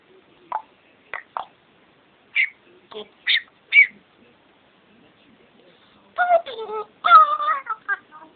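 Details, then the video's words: Pet bird singing indoors alongside its owner: short whistled notes rising and falling in separate bursts, then a run of faster, buzzy, chattering phrases near the end, in an otherwise quiet room. "buddy singing and being funny"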